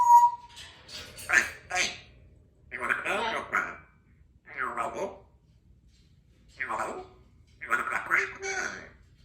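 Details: Pet African grey parrot, indoors and chatty, talking: a short clear whistled note, then five bursts of speech-like words and phrases spaced by pauses of about a second in a quiet small room.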